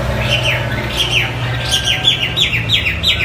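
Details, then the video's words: Hwamei song, loud and vigorous: a series of short, falling whistled notes repeated about every quarter second, over a steady low hum. "Hwamey Wambi gacor isian istimewa"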